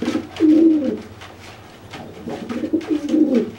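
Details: Threatening a flightless wet pigeon after bathing, a dry pigeon gives two low, rolling coos with a quiet gap between, plus faint clicks.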